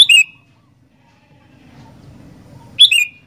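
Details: Sooty-headed bulbul singing two brisk whistled phrases nearly three seconds apart, each a sharp note sliding down into a second, with a soft low murmur in between.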